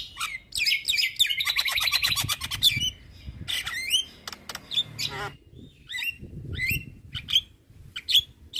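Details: Javan myna vocalising as tutor sound for quiet mynas: harsh squawking rattle and chatter, a brief gap of clicks, then spaced squeaky whistled notes with faint background noise.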